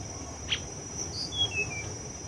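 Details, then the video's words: Forktail lured with a decoy call gives a sharp high note, then a thin, falling whistled call, over a steady high insect drone. "Pikat Burung Tledekan"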